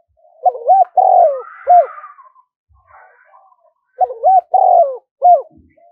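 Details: Spotted dove calling on the first day of the lunar new year, played for good luck: two clear bursts of low cooing, each a few rising-falling hooted notes with a longer drawn-out middle coo, separated by a pause.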